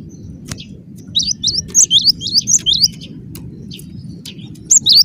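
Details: Gelatik batu, the cinereous tit, singing close-packed gacor phrases: a quick series of high whistled slurred notes around the middle, a pause, then two more at the end, over low background hum.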